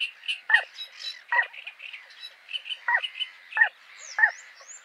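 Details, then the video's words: A Little Crake gives short, croaking 'kwek' notes at uneven intervals, about five in five seconds, over a soft chorus of high chirps and frog-like calls. "Little Crake"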